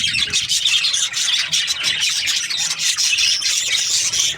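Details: Chirping budgerigars during breeding season: a continuous wash of high, scratchy warbles and quick chirps from many birds at once, steady and busy throughout.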